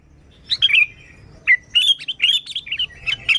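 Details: Sooty-headed bulbul song used to lure bulbuls: a chirpy opening phrase, a pause, then a continuous run of bubbly, wavering warbled notes.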